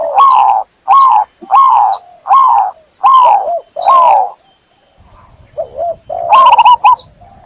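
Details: Zebra dove, known locally as perkutut, giving six loud, bubbling rolled coos about one every 0.7 seconds, each with a wavering pitch, then a quieter pause and a final burst of trilled notes.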